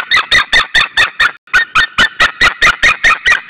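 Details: Pair of white-tailed eagles calling at their nest in Saunja, Estonia, 26 April 2013 at 19:20, shouting at another eagle: loud, harsh, evenly spaced yelps, about seven per second, with one short break midway.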